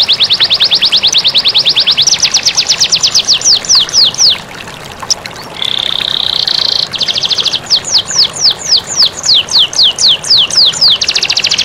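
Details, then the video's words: Clear canary master song meant to coax lazy canaries into singing, set against running water: fast trilled rolls, a flat buzzy held note, then evenly spaced bright downward sweeps, with a faint water hiss throughout. "Masteran Kenari Jernih + Suara Air Mengalir || Pancingan kenari malas bunyi"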